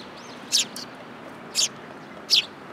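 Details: Young sparrows landing on a hand at a Tenmangu shrine, July 2022; three short, bright, sharp chirps spaced about a second apart, with a faint thin whistle near the start.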